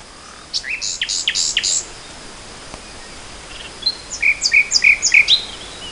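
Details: Nightingale singing in spring 2014: a phrase of bright, high repeated notes, then a pause before a second run of short, evenly spaced chirps descending slightly in pitch.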